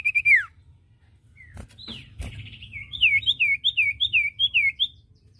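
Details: Common iora singing on a caged-bird training recording: a single falling whistle, a pause with clicks, then a run of about eight looping whistled notes repeated briskly.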